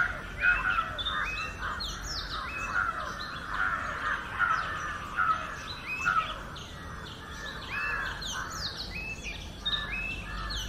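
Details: Oriental magpie-robin singing naturally, one of seven sweet melodies: a dense run of varied whistled phrases, high slurs over a steady warbling band, with overlapping notes and soft background noise.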